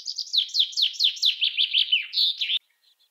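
A common chaffinch sings a bright, rattling run of about a dozen quick descending notes, ending in a brief flourish after two and a half seconds. No other sounds.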